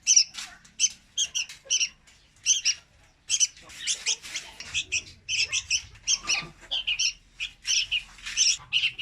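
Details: Red-whiskered bulbul chick, trapping-lure recording: scratchy, squeaky chirps in fast clusters broken by brief silences, the pace picking up toward the end.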